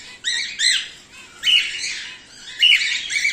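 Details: Cockatiels bred at home, whiteface emerald and exhibition grey male, utter quick grating squawks; a paired double note opens, followed by two longer scratchy bursts.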